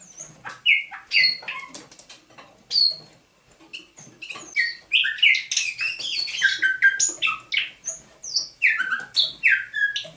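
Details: Thrush nightingale in captivity, taken near Saint Petersburg in May 2019, heard at dawn on 27 November 2021, delivering sweet whistled notes and clipped chirps that build into a dense, fast tumbling run of varied phrases.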